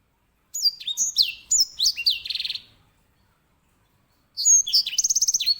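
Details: Grey singing finch (edel sanger) song: descending whistled notes leading into a buzzy trill, a pause, then a new phrase with a fast rattling trill.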